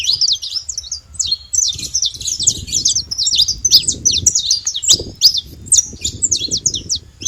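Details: Free-living saffron finch in the wild singing a rapid, continuous string of high sharp chirps and short twisting notes with no pauses, over a low background rumble.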